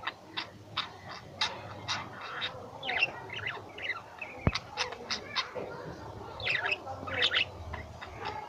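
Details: Pet lovebirds kept at home, calling in short, sharp, high squeaky chirps and squawks in irregular bursts, with a single loud click partway through and a low background murmur.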